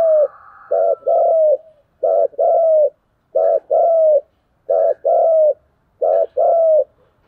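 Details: Spotted dove in dueling 'cu gù đấu' mode, cooing steadily. Five regular phrases arrive roughly every 1.3 seconds. Each is a brief low note and then a longer coo easing downward, all deep and hollow against silence.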